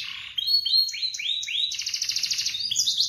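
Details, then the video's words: Morning canary song used to encourage non-singing canaries to start singing: a few rising slurred whistles, then a rapid buzzing high trill and quick sharp notes, loud and clear. "Terapi burung kenari pagi hari. kenari macet langsung gacor"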